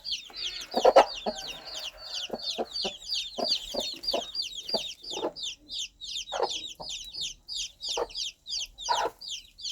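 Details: Countryside hen calling her chicks with soft, irregular low clucks, nearly drowned by a dense, continuous chorus of high, sliding chick peeps.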